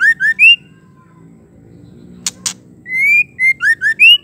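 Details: Female white-rumped shama calling, a sound meant to provoke and stir males: three rising whistles, two sharp clicks after a pause, then a longer rising whistle and a run of four to five rising whistled notes.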